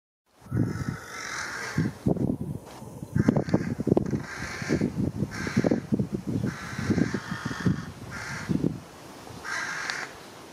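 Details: Four juvenile carrion crows perched on electric cables in Japan in mid-June, cawing at one another and skirmishing. Hoarse, rough caws come in irregular bursts over a steady low background rumble.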